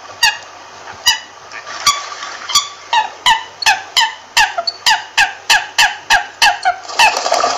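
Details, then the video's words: An American coot gives a series of harsh, nasal clucks, about two to three per second, quickening toward the end over a faint background hum. "American Coot Sound"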